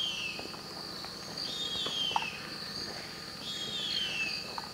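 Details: Calls of a female harpy eagle in and around the nest, Carajás National Forest, Amazon, seeking the male; descending high whistled wails repeated about every two seconds, with a continuous insect whine and scattered forest ticks behind.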